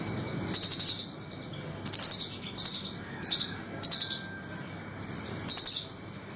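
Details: Velvet-fronted nuthatch master recording for songbird training: a steady series of rapid, high, sharp chattering bursts, each about half a second long, given roughly every second.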